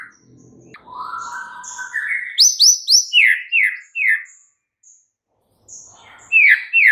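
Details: Singing White-rumped shama showing off its full set of filler phrases, meant to stir a non-singing shama: a long rising whistle, a rapid string of high sharp notes, then descending slurred chirps and a quiet gap before more song.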